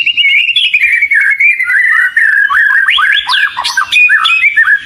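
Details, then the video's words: Oriental magpie-robin (kacer) in a lively, vocal song used as a lure; a continuous stream of clear whistled notes sliding and warbling between middle and high pitch, with quick rising and falling flourishes near the end. "ISIAN PANCINGAN BURUNg KACER//🐦KACER GACORR"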